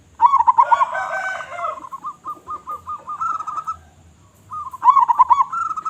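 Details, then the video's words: Zebra dove, a local bird with a big voice, in steady song. A loud rolling stutter is followed by a row of soft, evenly spaced short coos, then a pause and another loud rapid phrase. "Perkutut Lokal Gacor Suara Besar"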